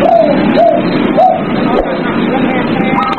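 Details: Captive zebra dove song at night, used to stimulate other doves: three soft, arched cooing notes repeated about every half second, then fainter higher notes, under continuous loud hissing background noise.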